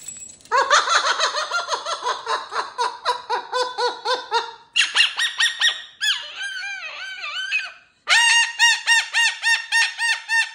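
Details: Pet cockatoo with new jingly cage toys, giving long runs of rapid repeated harsh calls, some wavering talk-like sounds, then a regular string of hooting notes.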